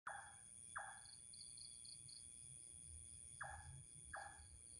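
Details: Unidentified bird with a strange, mysterious call, long heard but never seen: short downward-sweeping notes, sometimes paired, over a steady insect drone with high tonal bands and faint chirps.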